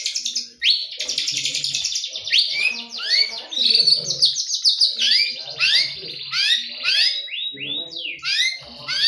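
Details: White-rumped shama in morning song: dense buzzy trills and rapid descending and rising whistled sweeps in a long varied flow.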